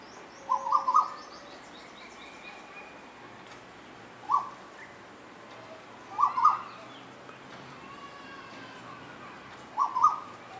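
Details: Asian koel calling while two birds play together: short clipped double notes, fairly loud, spaced every two to three seconds, with faint softer sounds between them.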